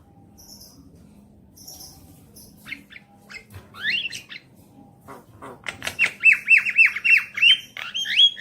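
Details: Javan myna lure song to prompt a caged bird to sing; faint scattered chirps, then harsh clicks and a burst of rapid, repeated downslurred squawky whistles in the last seconds.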